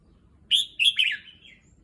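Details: Caged red-whiskered bulbul settling into a new cage at a new place: a brief, bright whistled phrase of three quick rising-and-falling notes that trails off into a softer, slurred tail, with a quiet background.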